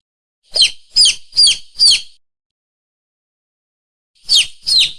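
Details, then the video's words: Young chickens give shrill, falling peeps, four in quick succession. A long quiet pause follows before two more chirps close the recording. The background is clean and silent. "Suara Anak Ayam Ciak Ciak,,,, ciak"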